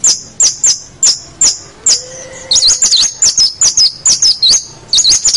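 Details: Long-tailed shrike training song for young birds: sharp high ticks repeated steadily, then a quick run of squiggly whistled notes, with a faint low hum behind.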